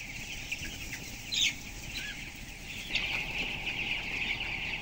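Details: Twelve-day-old broiler chickens of 423 grams in a closed-house shed of 7,000 birds: continuous high peeping from the flock, with a louder rising chirp near the start and another burst later, over a low droning background.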